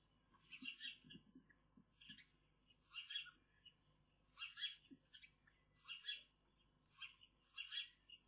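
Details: Eurasian magpie chicks begging in the nest under a nest camera: rough, hoarse chattering bursts repeated in quick irregular succession over a constant low hum.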